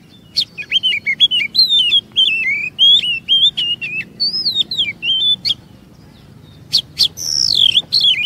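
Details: Oriental magpie-robin singing as a lure to trigger long phrases in other magpie-robins; a long varied string of slurred whistles and clicks for five seconds, a short pause, then a loud descending whistled phrase.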